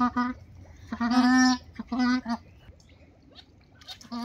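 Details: White-winged ducks, two females courting a male, give drawn-out, nasal honking notes in four or five bursts, one held for about half a second, with quieter pauses between.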